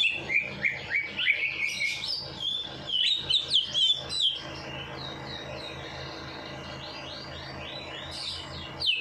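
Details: Songbird after its night bath, played to stir a lazy bird into singing: a rapid burst of high chattering, twittering notes for about four seconds, then softer continuous warbling, with a low background hum.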